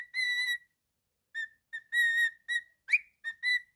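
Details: Pet cockatiel whistling a tune: a long steady note, then a run of short clear whistles with separate pauses, one rising sharply near the end, all on a similar pitch.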